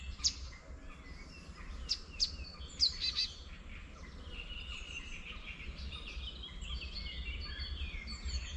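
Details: Several wild birds in spring countryside near a small wetland at a village edge; sharp clicking chirps early on, then a rapid chirped phrase, followed by softer overlapping warbles and whistles over a low continuous rumble.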